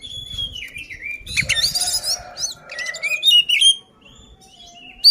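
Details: Oriental magpie-robin in a fighting mood, used to provoke other birds: varied whistled phrases mixed with harsh buzzy bursts and rapid chatter, ending in a brief pause and a sharp high note.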